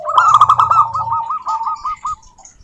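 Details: Local zebra dove song used to provoke other doves into singing: one loud rolling trill that starts strong, then slows into evenly spaced purring pulses fading out over about two seconds.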